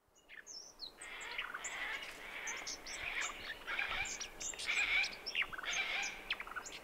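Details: Brown thornbill, possibly more than one, singing at 7am on 29 December 2011 on the Brandy Creek Mine Track, Mt Hotham, Victoria, Australia: a busy run of warbled, twittering notes with high thin chips, amid other birdsong and steady background hiss.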